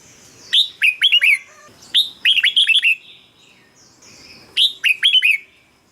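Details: Red-whiskered bulbul song used to make birds lively or as a decoy: three rapid phrases of five to seven chirpy, slurred whistles, each about a second long, with short silences between.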